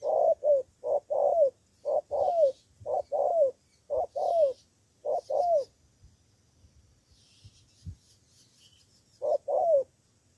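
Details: Spotted dove decoy bird in Cà Mau, Vietnam, answering rivals in a fast run of about eight cooing phrases roughly every half second, each paired short notes and a falling coo, then silence and one final phrase.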